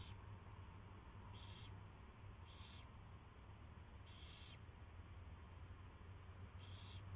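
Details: Owl during its first feeding, 24 February 2016, 2:15 PM: five clear breathy rasps, each about a third of a second long, spread irregularly, with a quiet constant low hum.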